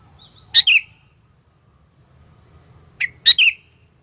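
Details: Sooty-headed bulbul lure song meant to provoke rival bulbuls: a clear double-note phrase, a pause of over two seconds, then a three-note version with a short lower lead-in before the sharp note and falling slurred chirp.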